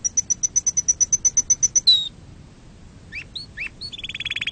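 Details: Canary song used as a tutor recording for young birds: a quick series of high piping notes, a downward slide, a short pause, a few upswept chirps, then a rapid rolling trill.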